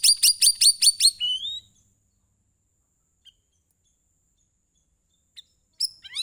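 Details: Sooty-headed bulbul song meant to get other birds singing: six loud, sharp, evenly spaced clipped notes in quick succession, ending in a rising whistle, then near silence with a brief final chirp burst.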